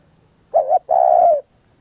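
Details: Spotted dove giving one cooing phrase: a short double-pulsed coo, a brief gap, then a longer, steady, slightly falling coo, over a faint constant high-pitched whine.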